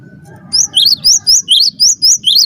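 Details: Cinereous tit song used as a master recording for training birds: after a short pause, a steady series of sharp two-part notes, a high tick followed by a lower upward-sweeping whistle, repeated about four times per second over a low hum.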